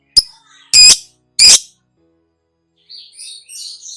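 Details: Lovebird, called labet, in a long-duration master recording of its trilling song for training cage birds; loud buzzy bursts of stacked high notes, three separate bursts, then softer scattered high chirps.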